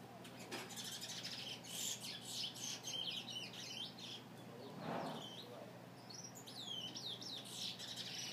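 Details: Brown chestnut-bellied seed finch singing indoors at home: scattered short high chirps and quick twittering notes, some rising and falling, spread across the clip, with a person's voice briefly in the background and a steady low hum.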